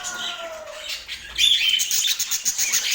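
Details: Budgie in Portland: a soft, falling low whistle at first, then a burst of loud, squeaky chirps and rapid twitters.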